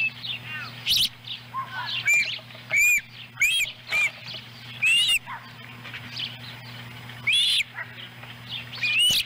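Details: Ospreys at their nest in Lolo, Montana, July 18, 2017, as the female delivers a small fish for a chick. Distinct arched whistles, rising then falling, are spaced a second or so apart among softer chirps, with a background hum.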